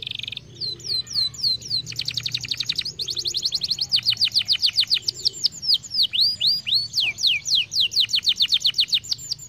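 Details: Canary song played to stimulate singing: a short buzzy opening note, then fast rolling trills of steep, high, downslurred whistles that switch between several repeated phrases, loud and continuous throughout.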